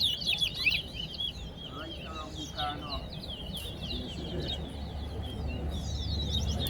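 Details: Chestnut-bellied seed finch singing in a towa towa bird competition at Soesdyke, Guyana: rapid twittering bursts, strongest early, amid men's voices calling out counts and a rising low rumble.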